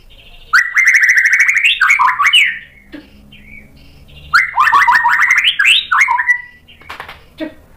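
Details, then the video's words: White-rumped shama in vigorous song with sharp fill-in phrases, played to lure other birds into answering: two long bursts of dense, rich, buzzy warbling that rise and break into twisting notes, with a quiet pause between them. "MURAI BATU GACOR bongkar isian tajam cocok untuk PANCINGAN biar ikut NYAUT BUNYI"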